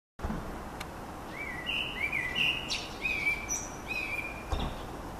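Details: Blackbirds singing in old small-leaved lime trees on 15 May 2013: a mellow, fluted warble of smooth sliding whistles, ending in a higher squeaky flourish, over a steady outdoor background noise.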